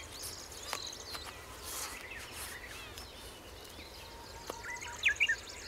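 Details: A Middendorff's grasshopper warbler (Locustella ochotensis) singing in early morning gives a brief, bright phrase of quick chirping notes at the end.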